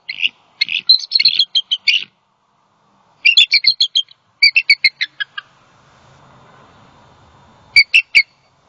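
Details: Female bald eagle on a Southwest Florida nest, 28 December 2020, distressed after a great horned owl knocked her mate off the nest: rapid chattering series of high piping notes in three bursts, faint low rumble between.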